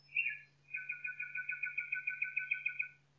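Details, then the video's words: Nightingale singing in a forest: a short bright whistled phrase, then a long fast trill of evenly repeated chirping notes, about four per second, carrying on for over two seconds over a faint steady low hum. "Пение Соловья в лесу Singing Nightingale in the forest"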